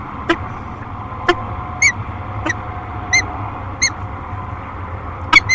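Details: Peregrine falcon pair at the nest on the Great Spirit Bluff nest camera, 13 March 2022: short, scattered, sharp calls with rich overtones, about six in five seconds, over a steady low hum.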